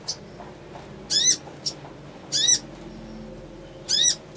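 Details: Crimson sunbird, ngriwik, ngleper and trotol styles, provoking an emotional response: three loud, high, arched chirps about a second and a half apart, with softer chips between.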